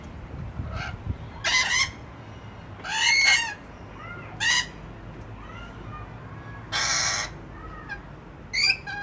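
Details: Rainbow lorikeets peek-a-boo in Lindfield: loud, grating screeches repeated about every one to two seconds, with softer chattering notes between and steady background noise.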